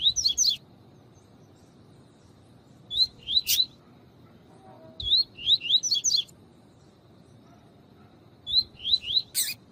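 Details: Tui tui song of a tutor double-collared seedeater, with a female calling, used to train and warm up males. Bouts of three or four rising whistles repeat about every three seconds, each ending in a loud rasping burst.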